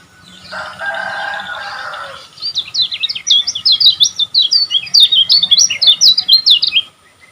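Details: Kecial kuning song from Lombok, meant as tutor material for caged birds: a softer, buzzy lower passage, then more than four seconds of rapid, high, zigzagging twitters in steady bursts.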